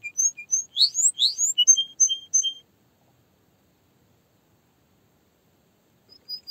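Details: Canary singing a quick run of high, thin whistled notes and rising sweeps for about two and a half seconds, then silence before a few faint notes return at the end.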